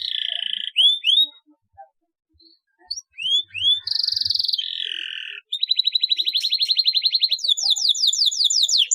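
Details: Canary singing a long rolling song meant to coax lazy canaries into singing: upward-swept whistled notes, then a steady trilled roll and a fast buzzy rattle, with short gaps between phrases.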